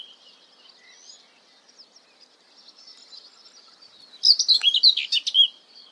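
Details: A common whitethroat gives a quick, scratchy warble of about a second, high and jumbled, after a few seconds of faint distant twittering.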